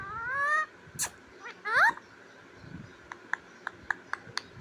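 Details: A talking parrot said to repeat "Radhe Radhe" and "mittu" produces two short rising, voiced, word-like sounds, followed by a string of sharp clicks and taps.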